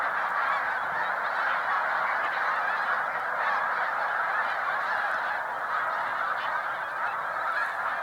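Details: Large Snow Goose flocks resting on Cayuga Lake, New York, during spring migration, 20 March 2021. Eight seconds of dense, ceaseless honking from a multitude of geese, loud and uniform.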